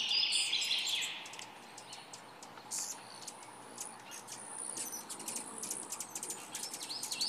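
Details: Male Calliope hummingbird perched on a tree giving thin, very high chips and ticks, several each second, over a steady hiss of background noise.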